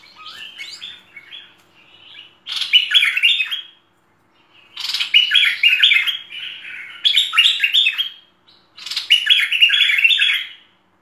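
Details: Merbah lekir bulbul singing full tutor song, several spaced bursts of rapid, bright chirping notes roughly every two to three seconds, clean background.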